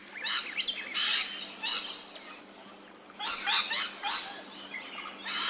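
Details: Australian rainbow lorikeets, ambisonic surround recording: bursts of scratchy, high screeching chatter in two clusters separated by a quieter gap, with a low steady hum underneath.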